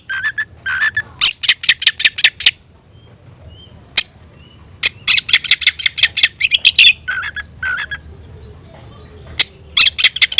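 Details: Oriental magpie-robin (kacer), a kept songbird, singing to call a rival to fight: bursts of harsh broadband chattering notes in quick runs, with short pauses between groups and a faint steady high tone behind.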